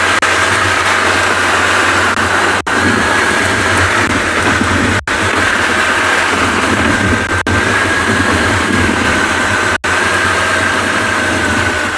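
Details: A constant engine drone with a faint steady whine fills the recording, broken by short gaps every couple of seconds. No animal voices come through.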